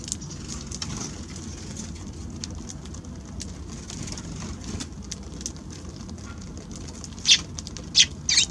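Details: Eurasian tree sparrows visiting a balcony on January 6; after a stretch of faint background hum, three short, sharp chirps ring out close together near the end.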